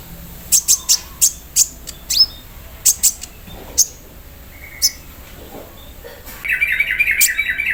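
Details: Morning song of a caged olive-backed sunbird set out in the dew, with embroidery-machine mimicry: spaced high sharp chips and a thin whistle, ending with a steady buzzy rattling noise lower down.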